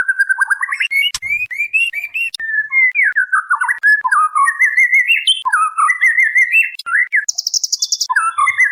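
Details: White-rumped shama, a female calling the male, used as a lure recording: a continuous run of clear, rich whistled phrases, with slurred rising and falling notes and quick chattering bits, loud and varied, with no pause between phrases.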